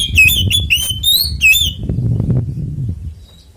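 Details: Fighting song from an Oriental magpie-robin, in the ngeplong tarung konslet style used to spur other magpie-robins to sing: a quick series of loud, ringing slurred whistles for about one and a half seconds, then low rumbling noise.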